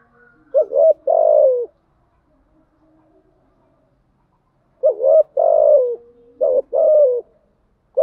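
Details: Spotted dove calling to stir captive decoy birds; repeated phrases of a short hooked note and a longer hoarse falling coo, separated by a long quiet pause.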